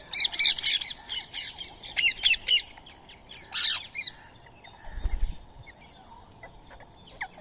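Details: Indian ringneck parrot at daily feeding time, eating soaked rice and corn beside a squirrel; harsh, raspy squawks in quick bursts over the first four seconds, then quieter, with a low thump near five seconds.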